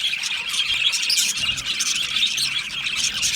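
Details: Lonely budgerigars calling loudly, described as contact calling or distress to seek attention; dense, continuous high-pitched chattering and squawky chirps overlap throughout with no pauses.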